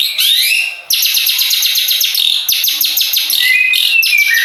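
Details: Opening with a rising whistle, this contest long-tailed shrike from Madura launches into a loud rapid rattle of scratchy repeated pulses, broken by short gaps, with thin whistles near the close.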